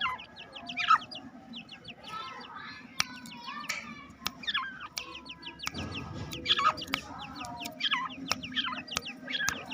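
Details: Two-month-old black francolin chicks, happy at being let out in a home aviary, giving many soft, high peeping and chirping calls in overlapping bursts, with sharp clicks and knocks scattered throughout.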